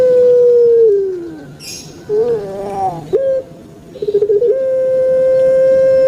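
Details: Long cooing of a kept Javanese puter pelung turtle dove: a held low tone that slides downward, a bubbling gurgled middle section, then quick stuttering notes leading into another long steady coo.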